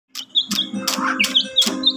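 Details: Magpie robin fighter-style song used as a lure to get birds that have stopped singing to sing again: sharp high chirps and whistled notes repeated in quick bursts over a steady low musical backing.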